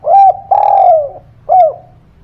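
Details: Calling spotted dove meant to provoke silent birds into answering: short arched coo, a long gently falling coo, then a third brief rounded note, all loud and clear with a soft low drone behind.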